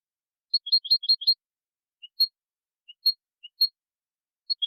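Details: European goldfinch singing in nature; a rapid series of high tinkling chirps, then sparse single notes spaced by short pauses, on an otherwise silent background.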